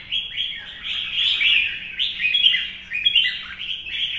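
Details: Caged red-whiskered bulbul, an older wild-caught bird, singing competitively in the morning sun: a dense stream of warbled, bubbling phrases, fluting notes rising and falling, continuous with short dips between bursts.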